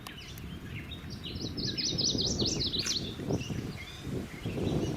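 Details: In summer at a sanctuary where it nests, a Chestnut-sided Warbler, probably still searching for a female, sings a rapid series of high, sweet slurred notes rising and falling, over steady low rumbling with other faint bird calls.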